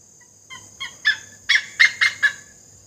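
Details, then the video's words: A great hornbill (great Indian hornbill) in Assam, India, gives a run of about seven harsh, honking notes, growing louder and closer together over two seconds, over a steady high hiss. "Great Hornbill,Great Indian Hornbill"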